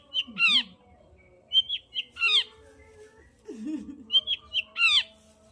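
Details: Long-tailed shrike song aimed at making a silent shrike sing: mixed whistled slurs and rising-falling notes in short phrases separated by pauses, with a lower wavering whistle partway through.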